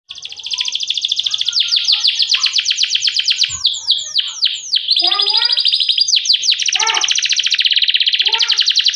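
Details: Canary in sustained vigorous song used as a lure for other canaries: long high rolling trills interrupted by series of sweeping downslurred whistles and lower warbled notes, the singing almost continuous throughout.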